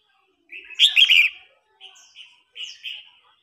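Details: Red-whiskered bulbul singing in a contest, an older bird challenging a young newly caught bird. One strong, buzzy warbled burst of rapid notes, then a series of softer, shorter whistled phrases with slight downward slurs.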